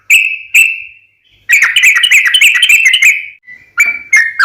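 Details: Sooty-headed bulbul lure call: two drawn-out whistled notes, a pause, then a quick rolling run of chattering whistles, ending with short clear notes.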